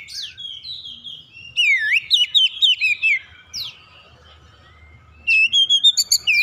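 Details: Lure song of a magpie-robin, played to draw singing replies from other birds. Opens with a long falling whistle, then a burst of varied sliding, chirping whistles. After a quiet pause comes a second fast series of bright, piping notes.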